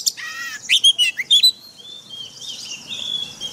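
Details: White-rumped shama, a caged bird, singing forest-style training song: a short burst of rich, buzzy and whistled notes in the first second and a half, followed by a thin, sustained high whistle fading out.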